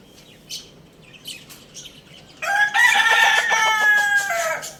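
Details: Lohmann Brown rooster at Lalukhet bird market crowing loudly: a long harmonic cock-a-doodle-doo that starts after a quiet stretch, holds steady and falls away at the end. Small birds chirp faintly before it.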